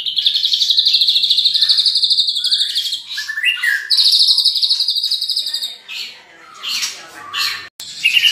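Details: White-rumped shama, a champion bird with rich 'isian' song material: a long, buzzy, high trill, a short break with slurred notes, another sustained buzzing trill, then a jumble of varied chirps and whistles.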